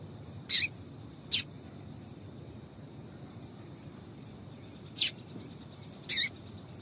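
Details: Female Yellow-bellied Seedeater calling repeatedly to excite the male, giving four brief high chirps in two pairs separated by a long pause, with a faint constant high whine behind them.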